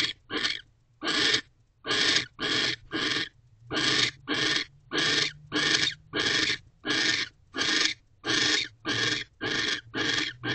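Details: Owl pair at a nest box during mating, December 2023 around 6:18 pm; a long run of short, harsh, hissing screeches, some doubled, repeated about every half second with a faint low hum beneath.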